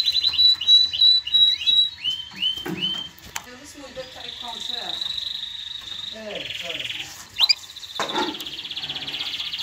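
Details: Canary singing to tutor young birds and prompt mating: a series of descending whistled notes repeated about three per second, then mixed lower warbling sounds, a buzzy trill and sharp high notes.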